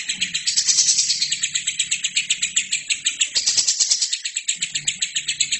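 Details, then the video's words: Steady chatter from a lovebird singing without pause, a recording for teaching other birds: quick, grating high pulses about four per second, with a brighter squeaky burst early on and faint low rumbling. "LOVERBIRD GACOR!!! INILAH HASIL TERAPI MASTERAN TERBAIK 2017"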